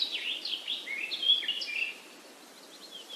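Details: Birds chirp in short, downward-sliding tweets in a quick, irregular series, then fade to near quiet with only faint distant notes.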